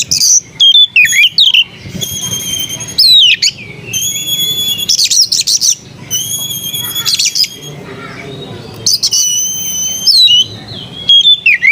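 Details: White-rumped shama singing melodiously: loud bursts of clear whistles, sharp upslurred and downslurred notes and steady high tones, phrases separated by short pauses, with a faint low hum in the background.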